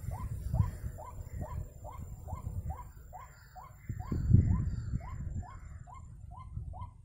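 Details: White-breasted waterhen heard while bird trapping: a long run of clipped, hooked notes about every half second, fairly loud, with low-pitched bumps and rumble underneath and a louder knock midway.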